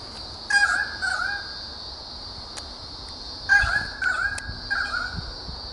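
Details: A pair of currawongs in Royal National Park south of Sydney, Australia, call in alarm while defending their nest from a climbing lace monitor: two bursts of loud, harsh, ringing notes with a steady high insect drone running beneath.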